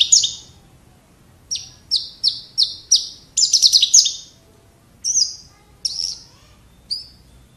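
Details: Horsfield's bush lark (Javan bush lark), a kept bird singing: a series of clear, high, flat whistled notes about every third of a second, a rapid stuttering burst, then slower spaced notes with gaps.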